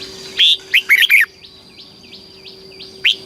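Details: Thai red-whiskered bulbul song in the southern master style, used to stimulate caged birds and teach young birds: one rich phrase of five fluty, slurred notes, then soft repeated chirps and a single loud note.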